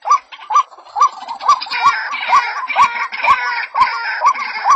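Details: A female white-breasted waterhen calling a male gives steady, nasal, upslurred croaks roughly twice per second over a rough, buzzing wash of further calls.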